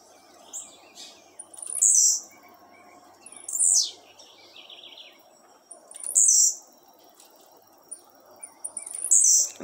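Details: Blue-black grassquit kept by a breeder singing repeatedly: four short, high, buzzy phrases roughly every two to three seconds, with soft chirps between and a low hum of background noise.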